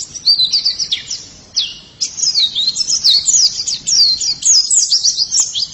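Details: White-eye song, a rapid stream of high, thin twittering notes sliding up and down with brief pauses, continuous and lively.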